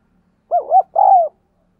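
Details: Spotted dove in thúc gù cooing style, used to train decoys and lure wild doves. A single loud phrase: two rapid wavering hoots run straight into a drawn-out, slightly falling coo, in otherwise quiet surroundings.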